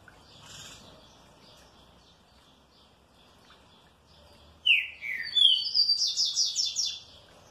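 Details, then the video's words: A green-winged saltator, well treated in captivity, replies happily: faint scattered notes, then loud downward-sliding whistles followed by a quick, steady series of about eight sharp repeated notes. "TRINCA FERRO MANDRAKE BEM TRATADO RESPONDE COM ALEGRIA"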